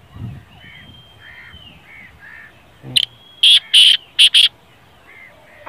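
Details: Soft chirps and whistles from other birds open the recording before a black francolin bursts in with a sharp, harsh phrase of five loud rasping notes.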